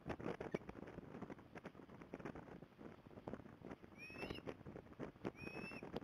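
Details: Osprey at Port Lincoln on 15 December 2020: two brief, thin whistled calls sweeping upward, one near the end and one just before, set against steady clattering and tapping noise that fills most of the recording.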